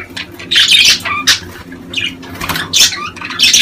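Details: Budgerigars in breeding season, sounds meant to stimulate mating and prompt females to lay eggs: bright, scratchy chirps and squawky bursts in quick clusters, with short pauses between flurries of warbling chatter.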